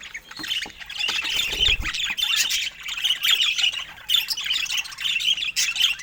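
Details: Pet budgerigar chattering continuously, a dense run of harsh squawks, scratchy warbles and quick chirps with hardly a pause, some sharper squeaks standing out near the end; a brief low thump early on.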